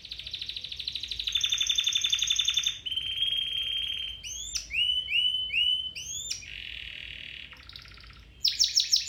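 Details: Domestic canary song for training canaries to sing: a fast trill, then level whistled rolls held for seconds, a run of curved rising notes, a buzzy rattle, and a closing burst of quick trills.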